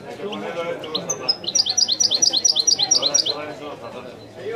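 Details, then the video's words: European goldfinch singing in the authentic Wedani style: a run of quick, bright, repeated high chirps, about two per second, with a low murmur underneath. "chant de chardonneret تغريد الويداني الأصيل"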